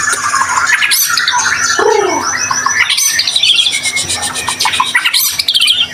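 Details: Energetic white-rumped shama song used as a lure to get other shamas singing: a dense stream of high chirps, buzzy trills and sweeping whistled notes, with one lower downslurred note, delivered continuously and loudly.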